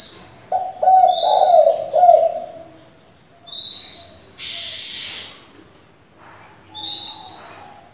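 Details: Varied-voiced spotted dove decoy for luring wild doves and training young birds; a low, bubbling coo sequence opens, followed by sparse high, rising whistles and a brief rushing noise.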